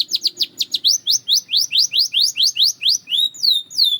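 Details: Belgian canary singing, played as training for other canaries: a fast train of rising whistled notes repeated about eleven times, then drawn-out descending slurs.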